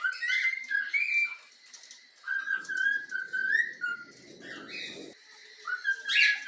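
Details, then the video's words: Melodic whistling of the Flamengo anthem by a pet yellow-cheek cockatiel: sustained pure notes stepping up and down, with a soft low rustling noise underneath for a few seconds and a harsh chirp near the end. "Bochecha amarela cantando o hino do flamengo"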